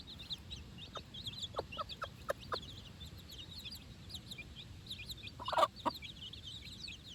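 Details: Baby chicks four days old, on fresh grass with their mother for the first time, chirp in high rapid peeps throughout, while short lower clucks come every half second early and a louder harsh call sounds near the end.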